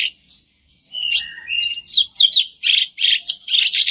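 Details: Sooty-headed bulbul singing, a recording used as daily encouragement for a caged bird; soft whistles and rising slurred notes lead into loud, evenly spaced chirpy phrases.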